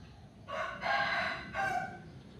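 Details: Chicken crowing in the morning, recorded with a backyard view: a harmonic, strained crow in two parts, the second drawn out and falling, over a quiet background hiss.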